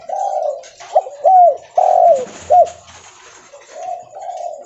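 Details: Spotted dove, known locally as derkuku leopard, calling loudly while walking. A soft opening coo leads to three emphatic down-slurred notes, then quieter trailing coos.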